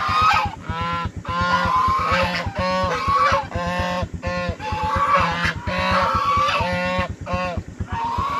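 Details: Scared goose screams: loud, rasping, buzzy honks, each about half a second, repeated in uneven runs with short gaps, over a constant low rhythmic thrum.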